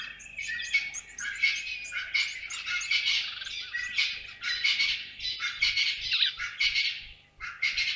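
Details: Grey go-away-bird at Naledi Dam in Africa, giving loud, harsh, nasal calls in dense rapid bursts over eight seconds, broken by short pauses.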